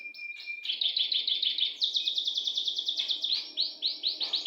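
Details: Canary rolling its song: a thin held whistle, then a long run of quick high trilled notes. They slow into rounder, looping syllables near the end, over light background hiss.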